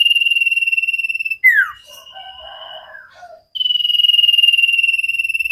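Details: Common iora training recording for cage birds, singing hard: a long rapid trilled whistle, a sharp falling slur, softer warbling notes, then another sustained trilled whistle.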